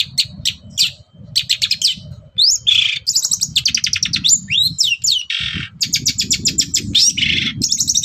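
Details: Loud, varied morning song of a long-tailed shrike aimed at provoking other birds to reply: fast trilled bursts, harsh buzzy notes and whistled slurs tumble together over a steady low rumble of background noise.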